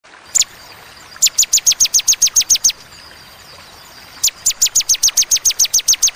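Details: Bar-winged prinia in the sharp, clear 'tembakan' burst style with pauses: a single high note, then a rapid run of about a dozen piercing downslurred chips, a silent gap, and another fast, even series.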